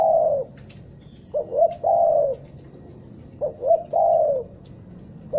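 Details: Spotted dove from Bandung giving a trapping lure call. Each phrase is two quick, clipped coos followed by a drawn-out descending coo. The phrase comes about every two seconds over a quiet low hum.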